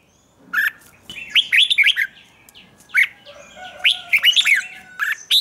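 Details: Morning training song of a Red-whiskered bulbul in the 'chè' style: rich, rolling warbled phrases of upslurred and downslurred notes, fairly continuous, with a quieter second voice and a thin steady tone underneath.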